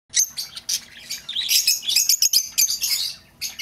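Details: Lovebird calls meant to lure back an escaped bird: shrill, high screechy chirps and squeaks in rapid, uneven bursts, with a faint low hum underneath.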